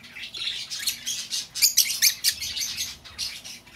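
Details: Escaped-bird lure of lovebird calls, a quick run of shrill, rasping chirps packed closely together, loudest in the middle.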